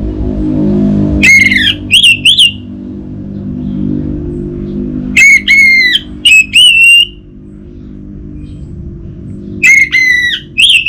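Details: Orange-headed thrush song meant to stimulate a silent caged bird: three groups of short, rich, ringing whistles, each group of two to four quick notes, spaced several seconds apart over a steady low humming background.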